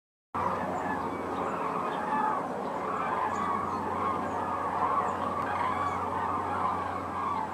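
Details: Common cranes during migration: a dense, continuous chorus of many overlapping trumpeting, honking calls from a large flock. The calls blur into a steady mid-pitched wall of sound, with a faint low hum underneath throughout.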